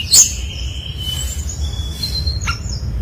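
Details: Lure song from a brown-chested jungle flycatcher, used to prompt others to sing: a sharp high chip followed by long thin level whistles and a brief clicking burst, over a soft low hum.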